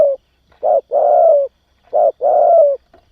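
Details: Spotted dove cooing, used to stimulate and train young doves: two phrases, each a short coo followed by a longer, slightly falling coo, low and mellow, with no other sounds.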